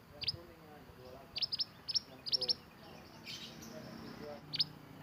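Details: Mantenan, a bird native to Indonesia, singing energetically: sharp high chirps in quick pairs and short bursts, separated by brief pauses, over a soft low background hum.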